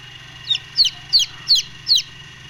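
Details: Golden Misri chicken chicks brooding give five piercing peeps that fall in pitch, each spaced about a third of a second apart, against a faint droning background hum.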